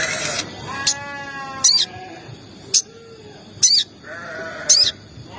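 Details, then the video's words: Sogon calls used as a lure to trigger other sogon birds to call: five sharp, high chirps at about one-second intervals, with lower drawn-out tonal sounds in between. "PANCINGAN TERBARU MERANGSANG SEMUA SOGON AGAR CEPAT BUNYI || SEKALI PUTAR CUIT CUIT SOGON EMOSI"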